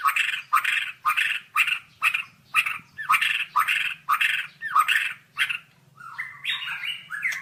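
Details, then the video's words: White-rumped shama in a training song recording: a series of about eleven harsh, rasping notes repeated roughly twice a second, then a softer warbling phrase; faint low hum behind. "Masteran Suara Burung Murai Batu"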